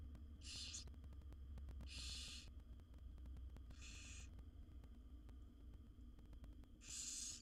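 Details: Barn owl chicks begging in a wild nest box as the mother brings food to her seven young; four breathy hissing screeches spaced irregularly, quieter and shorter, with a low background rumble between them.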